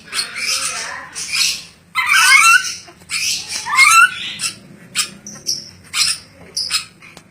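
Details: Ornate lorikeet, described as a clever parrot, repeating rasping, noisy squawks about forty times a minute at uneven intervals, some with shrill rising tones, in a small room.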